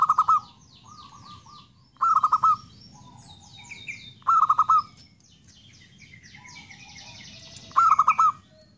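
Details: Zebra dove song: four loud, stuttering coo phrases about two seconds apart, with quieter cooing between them and busy high chirping from other small birds.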